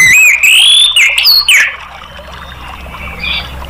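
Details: Orange-headed Thrush singing loud, rich whistled phrases with rising sweeps and quick slurred notes for under two seconds, then trailing off into soft, thinner notes. This is a therapy/lure recording meant to provoke other thrushes to sing.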